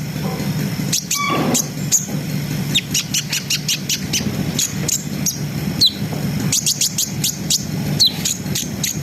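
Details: Brown-throated sunbird singing a continuous, lively ngriwik-ngerol style song, meant to raise breeding arousal: rapid high, thin chirps and short downward-sliding whistles in quick bursts, with one lower clear note early on, over a steady low hum.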